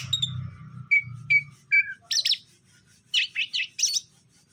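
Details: Male and female greater green leafbirds kept together for pairing call in captivity: three short clear whistled notes, then bursts of loud, buzzy, rapidly modulated chirps in quick groups, with a low hum early on.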